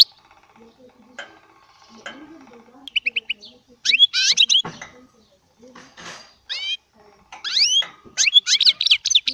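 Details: Small baster bird singing goldfinch song in short broken phrases of liquid twitters and rising whistles, with soft low chatter and faint background noises between the bursts.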